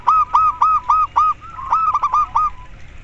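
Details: Local zebra dove giving koar koar song, played as therapy to make other doves sing sooner: a quick run of about nine hooked, ringing coos at even pitch, each note sharply rising then falling, with a brief pause midway.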